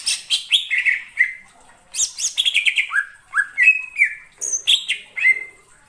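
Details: Wild greater green leafbird singing in forest: energetic, varied chatter of sharp chips and short downslurred whistles, delivered in rapid clusters with very brief pauses.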